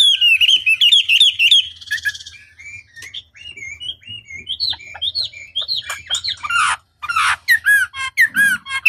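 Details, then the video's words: Chinese hwamei master song used to provoke rivals; fast twittering whistles, a quieter stretch of scattered short notes, then loud bright rising and falling whistled phrases. "Pancingan Masteran Wambi Durasi Panjang Efektif Pancing Lwan Agar Nyaut Emosi Gacor"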